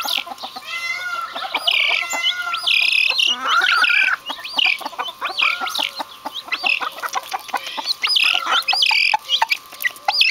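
Vulturine guineafowl give a busy chorus of harsh, clucking chatter, calls overlapping in quick succession.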